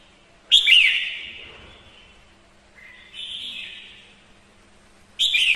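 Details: Female red-whiskered bulbul singing to spur males: an emphatic whistled flourish sliding into a long tone, a mid-length whistled phrase, then another loud phrase beginning at the end.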